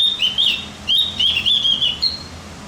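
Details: Javan grey-throated white-eye song meant to stimulate other birds: two rapid phrases of high, twittering whistled notes separated by a short pause, ending in a thin rising note, over a soft low hum.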